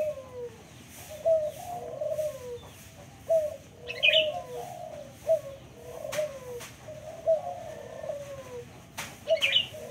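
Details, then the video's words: Local spotted dove calling, repeated low cooing phrases of a few notes each, recurring about every two seconds, with brief sharp chirps from other birds and clicking noises in the background. "burung puter lokal"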